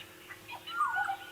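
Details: Oriole at sunset in the African wild, calling from just overhead among several orioles calling: a brief, liquid, fluting whistle that slides and wavers in the middle range, with a few fainter bird notes behind it.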